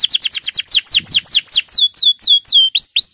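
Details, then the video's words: Canary singing to prompt other canaries: a series of swooping downward-slurred whistled notes, quickening then slowing, repeated roughly four times a second. "canari chant ساعة لتحفيز الكنار على الغناء"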